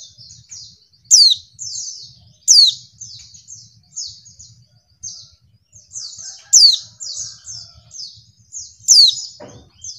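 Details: Female white-eye lure call for making males reply and sing: clusters of high, thin chips, with four loud, steeply falling chirps at irregular gaps over ten seconds.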